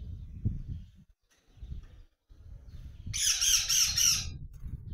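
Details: A male cactus parakeet gives a burst of harsh, grating squawks lasting about a second, over low rumbling background noise.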